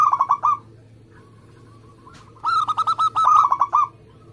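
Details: Local Indonesian zebra dove singing actively, used as a lure for trapping and to prompt other doves to sing: a short rapid burst of mid-pitched rolling coos, a pause with soft notes, then a longer fast trill of about ten notes.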